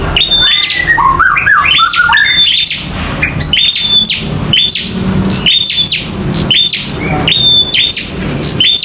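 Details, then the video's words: Local bar-winged prinia fighting and singing loudly: dense bursts of sharp notes and short high whistles, some descending stepwise runs, over a noisier, busier background. "PRENJAK LOKAL TARUNG GACOR"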